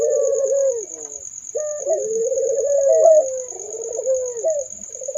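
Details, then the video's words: Barbary doves heard in overlapping, rolling low coos with short accented notes, seemingly more than one bird, under a continuous high whine. "kolaborasi suara burung puter merdu syahdu"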